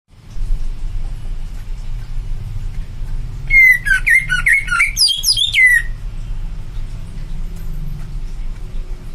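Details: Greater green leafbird in a two-second burst of sharp, twisting whistles and squeaky chattering notes midway through, over a steady low indoor hum, with quiet stretches before and after.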